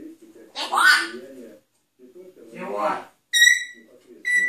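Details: Grey parrot saying its first words indoors. Two short, speech-like utterances are followed by clear, harmonic whistled notes, with faint background voices in the pauses.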